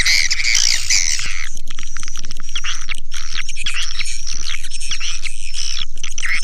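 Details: Swiftlet lure sound opening with loud rasping chirps, then steady high twittering over a regular low pulse of about four beats a second.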